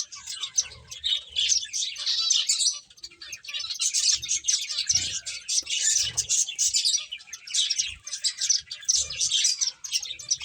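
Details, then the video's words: A lively flock of finches chirping as they play: crowded bursts of sharp, high tweets run for over ten seconds, with one short lull near the middle and soft thuds below. "Cute Birds Chirping Sounds | Beautiful Finches Playing"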